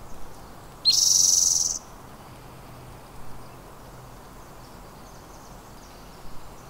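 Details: Spotted towhee at Squamish River Estuary gives a single buzzy, rising, cat-like mew about a second long, sliding quickly upward then holding steady, over faint background hiss.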